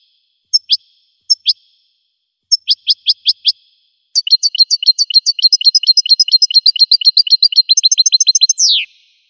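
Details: A golden-feathered goldfinch sings, opening with spaced single and grouped high chirps, then a long rapid twittering run of tinkling notes that ends in a drawn-out descending buzz. Otherwise quiet.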